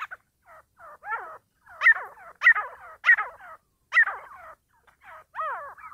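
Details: Partridges fighting, giving a steady run of harsh, downward-sweeping harmonic calls, some louder and sharper in the middle, packed closely at roughly one and a half per second, in a quiet setting.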